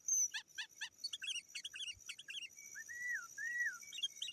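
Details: Sooty-headed bulbul calling rivals, used as a lure for wild birds: a quick run of repeated clipped chirps, then two slow arching whistled notes over faint background noise.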